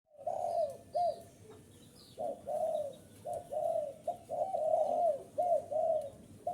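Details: Spotted dove calling to lure wild birds: soft, hollow coos in short phrases of two to four notes separated by pauses, with faint background hiss.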